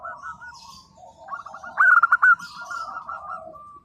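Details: Zebra dove of a local type in full song, meant to coax mute doves to reply: soft running coos build into a single loud, rapid, rattling burst, then fade into even, bubbling cooing.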